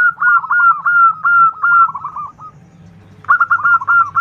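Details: Zebra dove, a local bird, uttering rapid bubbling coos meant to prompt an answer. Two fast series are split by a brief gap, over a low background drone.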